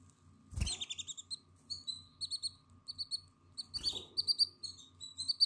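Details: Nine-day-old Atlantic canary chick, 14 April 2022, eyes open and plumage coming in: two sharp rustling bumps, then rows of bright, high, evenly spaced cheeps that grow louder toward the end, over a low electrical hum.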